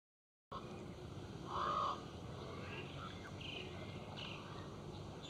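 A Mallard gives a single short, harsh, nasal quack against steady background noise, with faint higher chirps from other birds.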